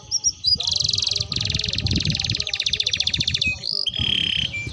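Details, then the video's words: Canary song recorded for bird training, a series of loud buzzy trills and rolling repeated notes at high pitch, with a few whistled slurs and a low rumbling background. "burung kenari masteran gacor"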